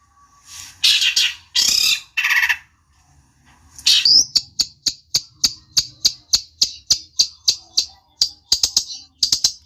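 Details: Long-tailed shrike song meant to provoke a rival: a few harsh rasping bursts, then a long run of short sharp high clicks repeated about three times a second.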